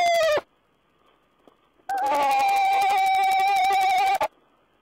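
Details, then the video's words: Owl heard on 14 April 2010: a short falling note, a quiet gap, then a long steady buzzy wail lasting over two seconds, rough and pulsed throughout, ending abruptly. "Owl's talk"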